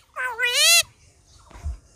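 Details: Common myna talking like a human: one drawn-out, voice-like harmonic utterance that rises and gently bends over about half a second, followed by near silence and a soft low thump.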